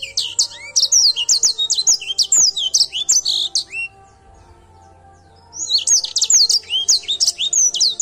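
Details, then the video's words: Lively singing from an Edel Sanger canary: a fast stream of high bright sliding notes and chirps for four seconds, a short pause, then the rapid phrase resumes. "Edel sanger gacor"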